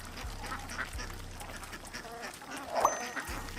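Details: Duck quacking: a few short, harsh nasal quacks spread through the clip, the loudest near the end, over a low pulsing background beat.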